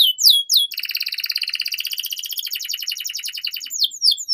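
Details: Domestic canary song played as a tutor recording to get young canaries singing quickly. It opens with sharp downward-sweeping whistles, runs into a long rapid rattling trill of about two and a half seconds, then ends with more steep sweeping notes.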